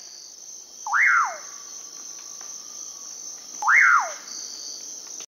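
Common pauraque gives two loud, whistled calls about three seconds apart, each sweeping sharply up and then sliding down, over a steady high hum of insects.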